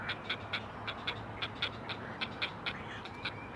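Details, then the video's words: Nestling great blue herons, four chicks on a Chesapeake Conservancy nest cam calling for their mother, give uneven clicking chatter notes, somewhat fainter, over a constant low hum. "Four Singing Great Blue Heron Chicks!"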